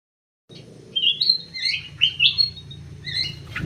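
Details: Common green magpie in an aviary wearing an anklet, giving varied whistled and chattering phrases, rising and falling notes in quick bursts with short pauses between them.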